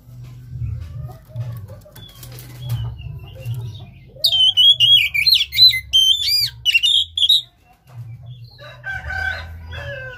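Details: Lure song of an Oriental magpie-robin, meant to get a reluctant caged bird singing: a three-second run of bright, rapid whistles and slurred trills, then a softer, scratchier phrase, over a steady low hum.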